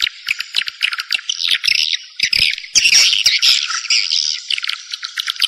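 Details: Swiftlet call used to attract swiftlets to a bird house: dense, overlapping high chirps and twitters, rapid and irregular, like many birds calling together, with short gaps near two and three seconds.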